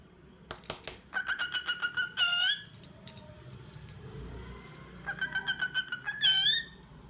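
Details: A pet cockatiel repeats quick pulsed chirps in two runs, each ending in a louder upward-bending whistle. Some sharp clicks are heard at the start.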